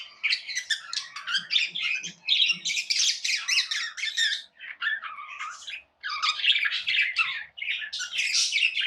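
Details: Tame budgerigars squawk and chirp in loud, harsh, buzzy bursts lasting one to two seconds, separated by short pauses, against faint background hum.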